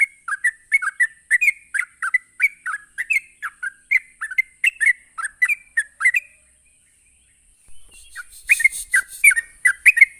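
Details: Sooty-headed bulbul rapid 'ropelan' song, used to provoke other bulbuls into answering: quick bursts of short whistled, slurred notes at a steady rapid pace, a brief pause near six seconds, then resuming, over a constant thin high hiss.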